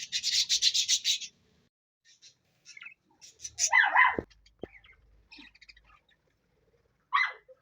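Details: A parrot gives a fast buzzy trill of high chirps, then falls quiet before a harsh, descending squawk, with scattered soft squeaks and one more short squawk near the end.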